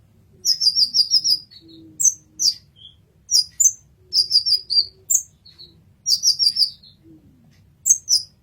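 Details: Masteran recording of an olive-backed sunbird (kolibri ninja): fast trilled runs of sharp high tweets in clusters of three to five, broken by brief pauses, with a few softer lower notes and a low background hum.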